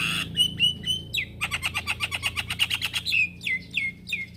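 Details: Male Javan myna calling to young companions: clear short whistles, a rapid rattling series of scratchy notes, then three downslurred whistled calls, all over a faint low hum.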